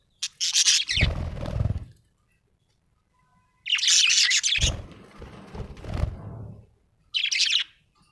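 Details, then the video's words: Happy budgerigar giving bursts of high, rasping chirps and chatter, each followed by low rustling or handling noise, with a final short chirp burst. "Happy budgie chirping sound"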